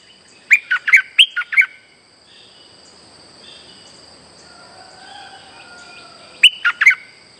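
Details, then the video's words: Streak-eared bulbul lure call of a chatty bird: a quick burst of five bright, bubbly notes, repeated after a pause of several seconds; a steady high insect-like hum runs throughout. "Suara pikat merbah lekir gacor"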